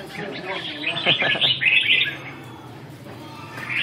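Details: Training session of a red-whiskered bulbul, 2 June 2012; a burst of rapid warbled notes mid-clip, then quieter, with a human voice and background hum.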